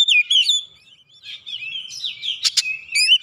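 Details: Singing oriental magpie-robin on lure audio meant to trigger other birds: fluid whistled warbles that rise and fall, with two abrupt clicking notes and a few sharp ascending chirps, in an otherwise quiet background.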